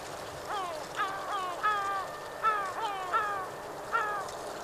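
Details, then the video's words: Two yellow-legged gulls quarrelling over a fish utter drawn-out, falling, nasal calls about once a second, several overlapping, against a steady low hum. "Zwei Mittelmeermöven streiten sich um einen Fisch / Two Seagull fighting for a fish"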